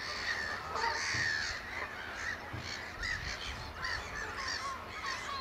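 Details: Eurasian oystercatchers in a piping display at Amwell Nature Reserve in April 2014 give loud, shrill piping calls, several birds overlapping in a busy, continuous chorus with a low background rumble.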